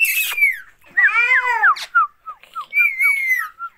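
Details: Pet parrot vocalizing: a buzzy, harsh opening note, then rich, harmonic, babbling voice-like sounds that rise and fall, followed by a string of short slurred whistles and a longer wavering whistled phrase.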